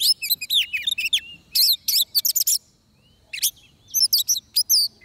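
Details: Oriental magpie-robin singing during trapping in Vietnam, with three tight bursts of rich, rapid warbling and high chirps split by a clear pause of about a second.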